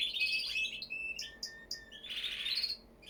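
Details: Canary singing a bright, varied song of high whistled notes and short trills, with sliding tones and a dense buzzy burst near the end.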